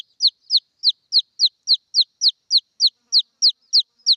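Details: Calling for its mother, a red junglefowl chick gives an unbroken series of high, downward-slurred peeps, evenly spaced at roughly three per second, over a silent background.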